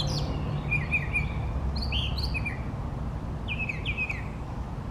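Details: A male Brown Thrasher, singing for fifteen minutes or more from three trees, gives rich, varied phrases, some repeated twice in a row, over a steady low rumble of wind or distant traffic.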